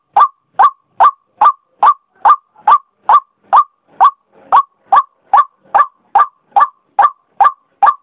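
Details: White-breasted waterhen giving a loud, even series of short harsh croaking notes, about two and a half per second, steady throughout over a silent background.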